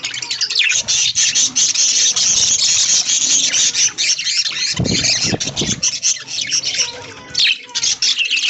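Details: Budgerigars in an aviary, fed corn in green leaves early in the morning; dense, continuous high chirping and scratchy warbling from many birds, with low thumps and rustling midway.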